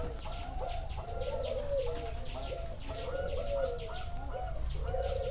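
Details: Zebra doves at a bird farm in Chana, Thailand, recorded live: overlapping soft, rolling staccato coos in short bursts, with a thin steady tone and faint high chirps from other birds behind.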